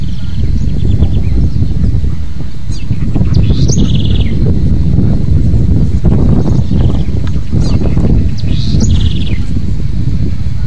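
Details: Song of a house wren (cambaxirra, also known as coreca): scattered bursts of fast, high trilled notes and quick downward-sweeping chips, repeated through the recording under a strong, constant low rumble of wind-like noise.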